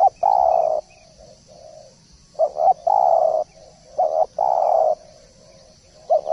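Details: Spotted dove (derkuku, tekukur) cooing in a lively training recording: low, mellow coo phrases repeat about every one and a half seconds, each with a quick double note and then a long drawn coo. A continuous high-pitched hiss sits behind.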